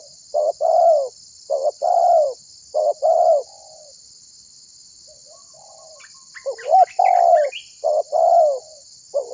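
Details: Tekukur, a dove, calling as a lure to draw other birds into calling, gives soft low hollow coos in short grouped phrases with pauses between; faint chirps from another bird in the middle and a steady high electronic whine throughout.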